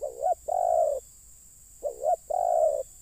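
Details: Spotted dove heard while luring wild birds: a quick rising double coo and then a long, even, throaty coo, repeated twice about 1.5 seconds apart, with a steady shrill hiss in the background.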